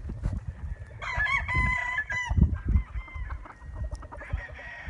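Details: Chickens and roosters at dawn: a rooster crows a long harmonic cock-a-doodle-doo from about one to three seconds, with a fainter crow further off and hens clucking and low scratching noise throughout.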